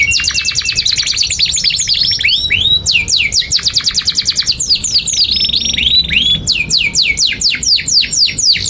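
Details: Canary master song, long 'gacor' style, for young canaries and canaries that stopped singing: high fast trills, sweeping downslurs, a level buzzy phrase, and bursts of loud descending swoops repeated in quick series.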